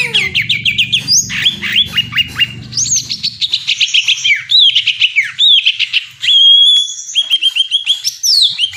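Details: Greater green leafbird pouring out a dense, varied song of high, rapid chips, rising and falling whistled slurs and clear sustained notes, continuous throughout with no pauses.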